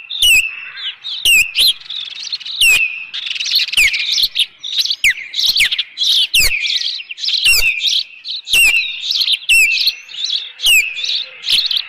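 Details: Nesting Osprey at Dunrovin Ranch on 25 May 2018 calling against an intruder, shrill high chirps and downslurred whistles tumbling quickly together, punctuated by repeated loud knocking clicks.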